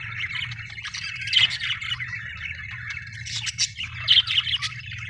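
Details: Happy budgerigar chirping, described as Australian birds: a steady stream of busy warbled chatter with sharper chirps near 1.4 and 4 seconds, over a low constant hum.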